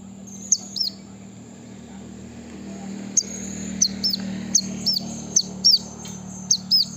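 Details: Brown-throated sunbird song used to call and provoke rival birds in the wild: high, thin downslurred chirps in short pairs and singles, separated by pauses, over a constant high hiss and low background rumble.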